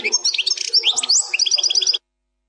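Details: European goldfinch of the Plak Mine song style, an error-free song passage: rapid twittering of high metallic notes, quick rising and falling whistles and buzzy trills packed densely for two seconds, then silence.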